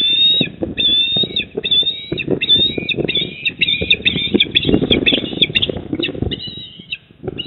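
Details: Eastern osprey at its nest in Port Lincoln, South Australia, recorded 28 October 2024 at 19:26, giving a steady run of short, high whistled chirps in clipped bursts, over a rumbling low background of wind and handling noise.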